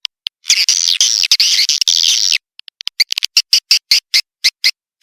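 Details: Swiftlet lure call named Tombak Raja, played to attract swiftlets: a long buzzy high twittering trill for about two seconds, then a rapid series of short sharp chirps, clicks and ticks, with no other sounds.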